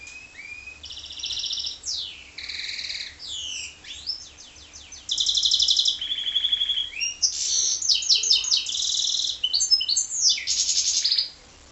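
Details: Goldfinch × canary hybrid singing a fast, continuous song of rapid high trills, buzzy rolls and sweeping whistled notes, changing phrase every second or two without pause.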